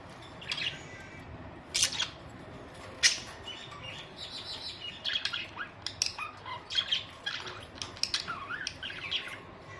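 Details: Pet budgerigars chattering, with scattered chirps, short warbles and sharp high notes over several seconds above a faint low hum.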